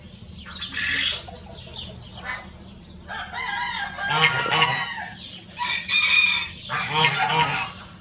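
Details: Duet of two free-ranging Rosecomb bantam roosters, show birds: several hoarse, strained crows follow one another with little gap, each a ragged multi-part burst, the pair overlapping, over a constant low hum.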